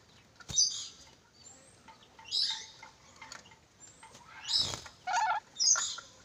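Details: Ornate lorikeet of Sulawesi producing shrill, rasping shrieks at irregular intervals, with a lower, nasal squawk pair late on and occasional knocks or taps in the background.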